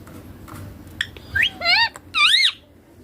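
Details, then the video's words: Young ringneck parakeet imitating Hindi words for mother and father: high, whistled, voice-like syllables, ending in a loud arching note that rises and then drops. "Baby ringneck parrot natural sounds papa mummy talking clear hindi"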